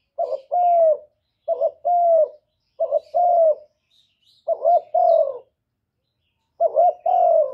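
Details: Decoy spotted dove calling to attract other doves: five two-part phrases, a brief note followed by a longer sustained mellow coo, with short pauses between phrases and a longer gap near the end.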